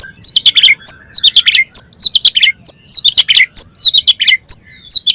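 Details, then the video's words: Oriental magpie-robin (kacer) song meant to stir other kacer birds to sing: fast, loud, continuous run of sharp high chirps and down-slurred whistles, steadily repeated. "PANCINGAN KACER BOCOR ALUS ‼️ NGEPLONG BIKIN GAIRAH KACER LAIN CEPAT BONGKAR ISIAN"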